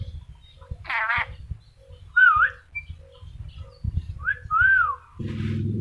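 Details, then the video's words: Talking ornate lorikeet from Sulawesi producing a wavering harsh voice-like note, then two clear whistled slurs rising and falling, with low thumps and a burst of music at the end. "Nuri dora sulawesi pintar ngomong"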